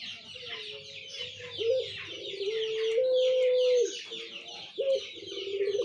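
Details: On 17 November 2021, a Barbary dove gives long, low, drawn-out coos, steady in pitch with brief breaks and a sudden lift near the end, over busy chatter from many other birds.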